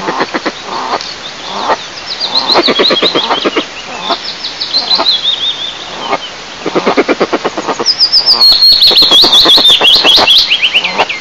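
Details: A pair of Eastern imperial eagles at their nest about 20 m high in Lower Kama National Park, Tatarstan, Russia, on a sunny 15 May 2024 during incubation, give bursts of deep, hoarse barking notes, several per second, under thin, high twittering from small birds.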